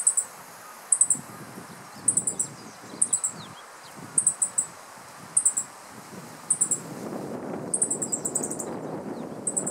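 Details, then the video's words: Male meadow bunting perched on a dead branch in riparian forest in Japan, mid-July 2015, after catching an insect, giving loud alarm calls at the observer: sharp, very high ticks in clusters of two or three, about once a second, over rumble and rustling. "Meadow Bunting Calling on Alert ホオジロ♂（野鳥）の捕食と警戒声♪"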